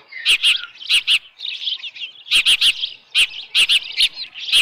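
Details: Nest-camera audio from the Dunrovin Ranch osprey nest, 10 June 2018, early evening, a headless fish present. High chirping calls are interrupted by frequent doubled knocking clicks from close by.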